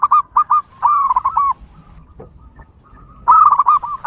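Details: A wild local zebra dove sings actively in a recording used to attract other zebra doves. Short staccato coos are followed by a rolling, stuttering phrase, a quiet pause, then another burst of quick purring notes.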